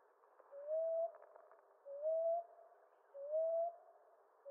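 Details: Common ground dove cooing: gentle rising notes, three full ones plus the start of a fourth, repeated at a regular pace of about one per 1.3 seconds, with a few faint clicks early on. Eastern North America.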